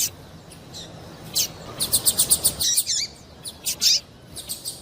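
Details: A female double-collared seedeater calls to prompt a male's song; a brisk series of about seven evenly spaced high chirps is followed by twisting, swooping notes and softer scattered chips.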